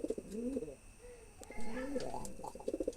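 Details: Male pigeon courting a female, giving short, throaty rolling coos with a low background rumble and faint voices, indoors.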